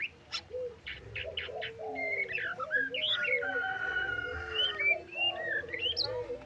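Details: White-rumped shama singing in trotol style, packed with isian fill-in phrases: sharp high chips, then clear whistled notes sliding up and down, lively and varied, over a steady low droning tone and faint background calls.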